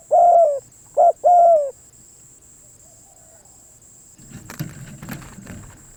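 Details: Spotted dove gives three low hollow coos, two short and one longer, then falls silent. Rustling handling noise and clicks follow, with a faint steady high whine throughout.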